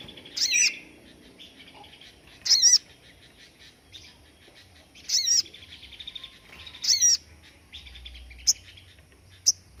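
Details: Crested jay (sogon) calling for songbird-training master material: loud harsh high notes at irregular intervals of two to three seconds, soft chattering in between, and two thin sharp clicks near the end.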